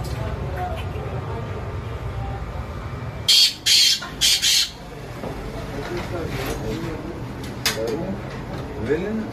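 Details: Black francolin calling, with a group of harsh, grating bursts packed together midway, then quieter rasping notes, over steady noise and a constant high whine.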